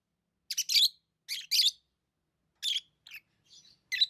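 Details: Pet lovebirds chirping: sharp, high, buzzy notes in short clusters of two or three, with pauses of about a second between bursts and a softer faint chirp near the end; no other sounds.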